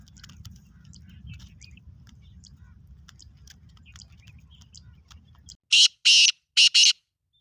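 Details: Black francolin of the Sindhi type, known locally as lal potiya or kala teetar: after several seconds of low rumbling background, four harsh, grating, buzzy notes come in quick pairs near the end.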